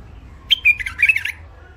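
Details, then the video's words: Caged hybrid finch (mule), called wild and of the Alwazi type, in its first isolation, with a thick throat: a short burst of high, chirpy, warbled notes lasting under a second, with faint low hum behind. "مخلف وحشي علوازي أول عزله حنجره ثخينه"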